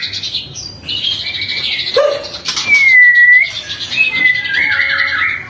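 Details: White-rumped shama whistling, a morning and afternoon lure for other shamas; a low fluty note, then a long pure whistle that dips slightly, followed by warbled higher notes.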